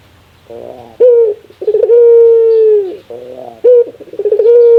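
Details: A ringneck dove gives rare laughing phrases. Soft fluttering notes build into a sharp onset and a rapid chuckle, then one long, steady, slightly falling coo, followed by another chuckling start.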